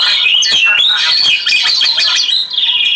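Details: Oriental magpie-robin song used for relaxation therapy, a dense run of high whistles and quick scratchy notes, rich and varied, with a constant hiss of running water behind it.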